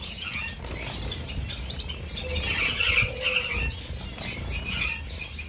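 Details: Red-faced star finches (Australian Estrildid species) chirp in quick, thin, high notes, several birds overlapping at an irregular rapid pace, with wing flutters and a low background rumble.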